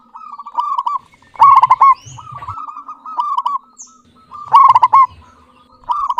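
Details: Local zebra dove singing actively with a clear voice: rolling, bubbly coos near one pitch in phrases, with louder rapid stuttering bursts about every three seconds and soft low rumbles beneath.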